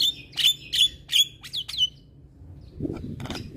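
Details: Javan myna, presented as training audio to coax reluctant mynas and other starlings into singing: about five sharp, bright whistled chirps in quick succession roughly every third of a second, a few fainter notes, then a low rumbling noise.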